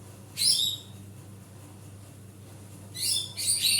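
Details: Greater green leafbird giving a loud basic song, used to prompt a silent leafbird into singing: two short bursts of bright, high, rapidly warbled notes, the first near the start and the second near the end, with quiet gaps and a faint low hum.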